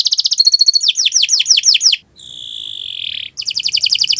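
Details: Canary singing as a master track for training other birds: quick rattling trills, then a run of loud downward-sweeping notes, a drawn-out whistled tone lasting about a second, and a return to fast trills.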